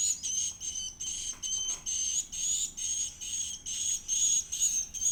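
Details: Edible-nest swiftlet chick begging as it is fed, giving very high, thin whistled squeals in steady pulses, about two each second, with brief gaps between bursts.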